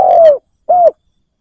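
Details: Decoy spotted dove calling for wild doves: a long, slightly descending coo followed after a short gap by one briefer arched coo.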